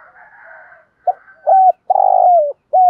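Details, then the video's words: After a faint hum, a decoy spotted dove, cooing to attract and excite wild birds, delivers a low phrase: clipped note, level coo, long burred coo falling away, and a last coo cut short. "Tiếng chim cu gáy mồi gáy gọi, giọng hạp bổi kích thích bổi rất nhanh nổi"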